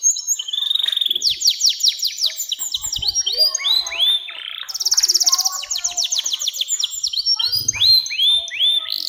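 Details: Canary song used as a lure to train young canaries to sing: long rolling trills of fast repeated high notes, buzzy rapid phrases and swooping whistled slurs, delivered continuously and loudly.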